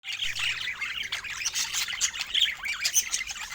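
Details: Pet budgerigars chattering: dense, continuous high warbling with rapid chirps, squeaks and scratchy notes overlapping throughout, no quiet gaps.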